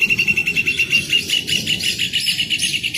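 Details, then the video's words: Rufous hornero delivering a fast series of clear, piping notes at an even pitch, repeated quickly and steadily, with brighter overlapping notes in the second half suggesting more than one voice. "CANTO DO JOÃO DE BARRO 🐦 SOM DO JOÃO DE BARRO CANTANDO"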